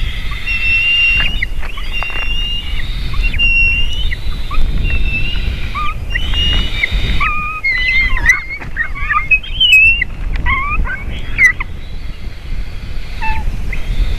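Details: Eagles at a nest on 7 June 2023 around 17:14, the female calling as she lands while eaglets cry before feeding: overlapping thin whistled, wavering and slurred cries, dense in the middle, over a low rumbling background.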